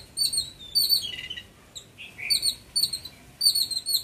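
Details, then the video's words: Several yellow-billed babblers give harsh, squeaky chattering notes in quick overlapping bursts, with lower descending squeals between bursts. "Birdsongs calls and sounds | Yellow-billed #babbler #bird_calling"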